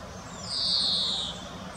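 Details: A female common chaffinch foraging in the Munich Botanical Garden gives one thin, high, drawn-out whistle that slides slightly downward and lasts under a second, over faint background hiss.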